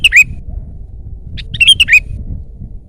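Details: Rapid, liquid, down-slurred chirps from a loud 'gacor' Sooty-headed bulbul, one pair at the start and a quicker group of four around the middle, over a faint low background. The recording is used to lure and tutor birds.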